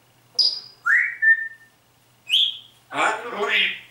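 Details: Pet grey parrot mimicking speech and a Helene Fischer pop song: clear whistled notes, one high and falling, one rising then held, another rising, then a raspy, voice-like burst in a quiet room.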